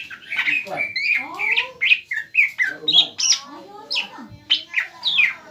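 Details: Greater green leafbird, a caged young bird, sings to goad a rival into replying: a tumbling medley of squawky chips, slurred whistles and mimic-like rising notes, dense and continuous.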